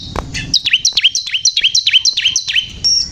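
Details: Bar-winged prinia (ciblek kristal) in full lively song: a fast series of high, sharply descending whistled notes, about eight in under three seconds, ending on a sustained high tone.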